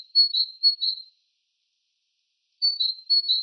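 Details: Great tit, a regular visitor to bird feeders, singing along a forest path through thinning hornbeam woodland: high, thin, see-sawing whistled notes in a short phrase, then a pause of about one and a half seconds before the phrase repeats.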